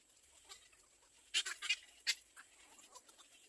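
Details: Little egret chick begging its mother for food, trying to bite at her; a few harsh, broadband rasping calls burst out in quick succession mid-clip, surrounded by softer scratchy chatter and rustling.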